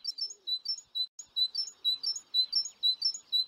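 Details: Recently fledged young great tits (Parus major), 25 June 2019, give thin, high chirps in quick overlapping bursts, about two a second, with several birds calling together.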